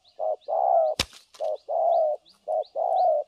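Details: Decoy spotted dove for trapping, recorded 3 December 2022, giving continuous thổ cấn sấm nước coos in short-long pairs, with high chirps of another bird behind and one sharp knock partway through.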